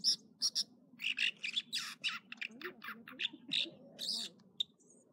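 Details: Morning song of an American dipper at Echo Lake in the Trinity Alps, California: repeated high piercing notes open into a varied run of buzzy chirps and short whistled phrases, over a low steady background rumble.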